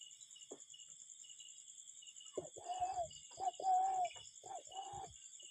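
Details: Cuckoo calling in nature, a real wild bird: several mid-pitched hollow notes, some paired as a short rising note and a longer level one, over a steady high insect drone.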